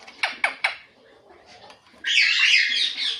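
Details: Rose-ringed parakeet, a ringneck talking parrot: three short sharp chirps in quick succession, a quiet pause, then a loud harsh rasping screech filling the final second.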